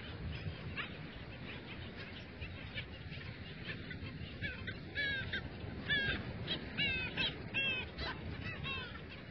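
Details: Skimmers calling at dawn at a beach bird sanctuary: harsh, barking notes, some with bent downward sweeps, given irregularly about once a second by several birds, growing denser and louder in the second half over a steady low background roar.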